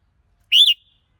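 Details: A red-whiskered bulbul utters a single full whistled note that swells upward, breaks briefly and ends with a trailing tone.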